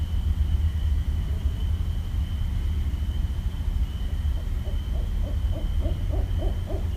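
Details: Barred owl calling in Westchester, New York, on 5.1.17: a run of short rapid hoots builds in the second half, steady low hum and a faint constant whine behind.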